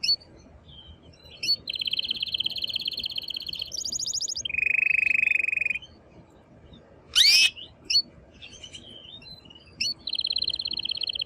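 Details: Excited male canary pouring out song to prompt a female to mate: sustained even trills separated by short gaps, one low flat buzzy tour, and a loud sweeping burst.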